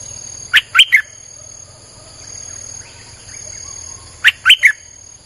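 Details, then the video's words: Streak-eared bulbul lure song: a pair of clipped three-note phrases, each note a bright slurred chirp, spaced about three and a half seconds apart, with soft background buzzing. "เสียงนกดอกแตงEp.159จ้าวขุนศึก สับดอกแบบไม่พัก!!ใช้เปิดล่อนกป่า Suara pikat merbah lekir"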